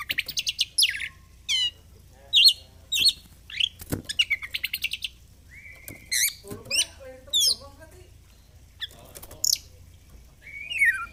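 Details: Oriental magpie-robin in 'gacor fighter' mode while displaying (ngobra), meant to stimulate birds that rarely sing: rapid series of buzzy rattles and sharp whistled notes, then a long level whistle and scattered downslurs.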